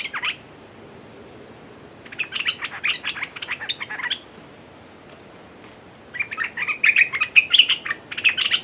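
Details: Two bursts of rapid, buzzy chirping from a decoy red-whiskered bulbul luring a territorial wild bird, separated by about two seconds of quiet, over light outdoor background.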